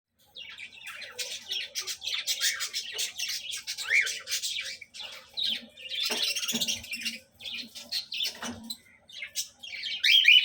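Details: Several tame cockatiels, offered for sale in Hyderabad, chatter with busy, shrill chirps and squawks that overlap almost without pause.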